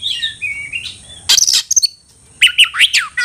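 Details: Oriental magpie-robin call for luring a rival into a fight: smooth falling whistles open, then bursts of harsh, scratchy notes, a short pause, and a cluster of quick, sweeping chirps.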